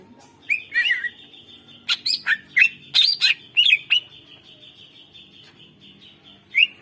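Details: Greater green leafbird master song used to stir reluctant birds into singing: a steady high thin whistle underlies scattered sharp slurred notes and chips in a loose series, with a faint hum behind.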